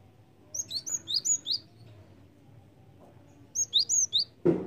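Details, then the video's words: Java sparrow lure call: a fast string of about seven high, piercing chirps, then after a pause another quick burst of five, ending with a loud knock. "PANCINGAN BUNYI BURUNG GELATIK"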